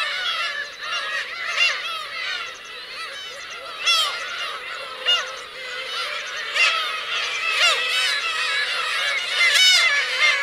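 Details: Black-tailed gulls, adults with chicks, at the Kurosaki shore of Teuri Island, Hokkaido, on 17 June 2021. Constant mewing and wailing calls overlap, with sharper, louder cries standing out every few seconds.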